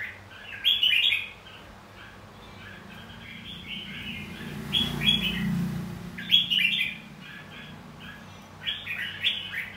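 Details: Red-whiskered bulbul fighting song used for voice training and contest singing: scattered, quick, warbling phrases of moderate loudness over a persistent low rumbling background.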